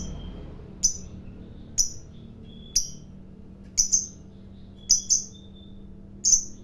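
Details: Fighter-type lovebird, whose long chatter (ngekek panjang) is said to rile other lovebirds: short, sharp, high chips come roughly once a second, sometimes in quick pairs, over a faint steady low hum indoors.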